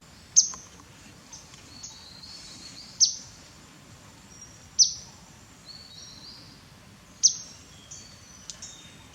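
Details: Grey-headed canary-flycatcher bathing in Cambodia. Sharp, very high single chips come every two to three seconds. Fainter high thin notes sit between them over a steady low rushing background.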